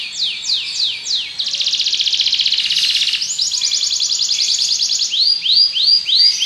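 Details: Belgian canary singing: a few falling whistled notes, then a dense buzzy roll, followed by a bright rapid trill and a run of short arched notes.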